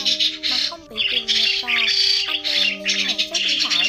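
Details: Migrating starlings for trapping, giving continuous grating squawks and chatter with steady and sliding whistle-like tones underneath, the bursts coming in close succession.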